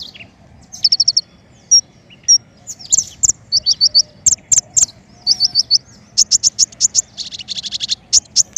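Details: Lure recording of king konin song for bird trapping, dense sequences of high-pitched chirps and rapid twittering trills, notes tumbling in clusters almost without pause, soft low rumble underneath.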